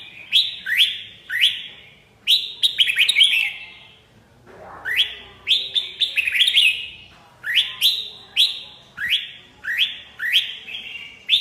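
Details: Continuous Red-whiskered bulbul singing, upslurred whistles repeated about twice a second and mixed with quick warbled trills, with barely any gaps.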